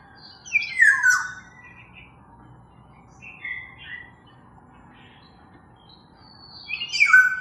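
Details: Black-naped oriole: mellow whistled downslurred phrases with short chattering notes between them, over a low steady background hum.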